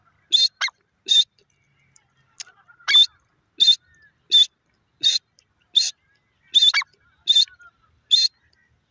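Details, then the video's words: A francolin, called teetar, keeps up a steady series of loud, grating bursts at well over one per second, with some squeaky, rising notes among them. "desi teeter ki masti,jungli teeter ki awaaz"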